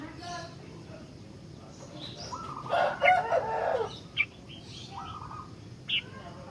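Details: Sooty-headed bulbul, a very vocal trained bird whose song serves as a lure and master for teaching other bulbuls; a short burst of rich, warbling mid-pitched notes, then two brief sharp chips, over steady background hiss.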